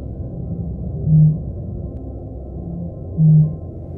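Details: Australasian Bittern at Hexham Swamp, a large estuarine wetland near Newcastle, Australia, in late January 2021, giving a boom train: two deep, low booms about two seconds apart over a steady low rumble.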